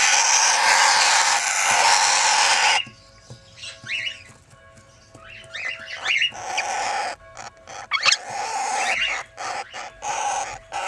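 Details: Red-winged parrots, a two-year-old breeding pair raising their first brood with 20-day-old chicks, kept in captivity: short harsh squawks and chattering notes in irregular bursts, following a stretch of broad continuous noise at the start.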